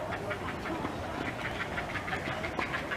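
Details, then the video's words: Great blue heron chicks at the nest, three calling for food as their mother feeds them, give rapid, harsh, clattering calls, several a second in an unbroken chatter, over a steady rushing background. "Heron Chicks Sounds At Nest"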